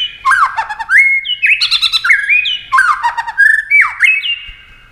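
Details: White-rumped shama singing fast in a song duel, wings flashing and tail working: loud repeated phrases of swooping whistles mixed with rapid chattering notes, each phrase about a second long.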